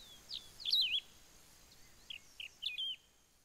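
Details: Wedge-tailed grass-finch, known locally as canário do campo, recorded in Ouro Branco, Brazil: a high, rapid warbled phrase of looping whistles, then a few separate short chips and a final slurred note, with low background hiss.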